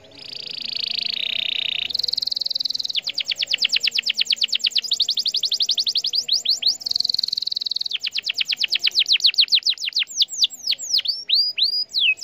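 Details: A canary sings a loud, high, excited 'cuit cuit' lure song of sustained whistled trills and rapid repeated chirps, shifting between buzzy rolls and sweeping upward notes, meant to prompt other canaries to respond.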